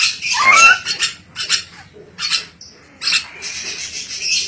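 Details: Ornate lorikeet, called a clever parrot, giving harsh, high, broadband screeches in a quick burst at the start, then shorter scratchy squawks separated by brief pauses, indoors.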